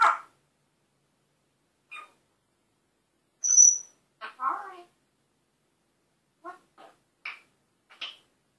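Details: Talking, swearing African grey parrot produces short clicks and raspy speech-like syllables, with one clear high whistled note partway through and scattered chirps at the end, amid silence indoors.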